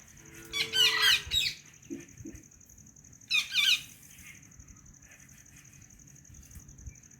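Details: Two loud rasping squawk bursts, each about a second long and two seconds apart, from a pet white ringneck parrot, separated by a couple of soft low clicks and followed by quiet.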